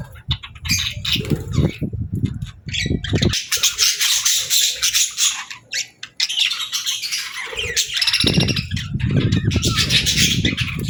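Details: Friendly pet budgerigar making cheerful sounds: loud bursts of harsh, scratchy chatter broken by quieter stretches, with heavy low thumping and rustling noises at the start and end.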